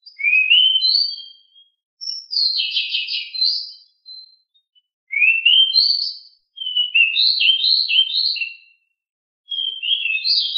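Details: Rolling 'ngeroll' song from a pied bushchat, said to be very agile and very loud: a sequence of varied high phrases, some rising sweeps, some buzzy trills and quick warbles, with short silences between.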